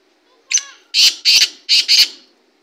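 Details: Black francolin calling: a short thin opening note, then four loud, harsh, grating bursts delivered as two quick pairs about half a second apart, against a quiet background.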